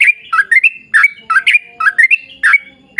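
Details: Sooty-headed bulbul in lively 'gacor' long 'ropel' song, used as a lure to prompt other bulbuls to sing: bubbly, slurred whistled notes, short rising and falling phrases repeated in quick succession with brief gaps between bursts.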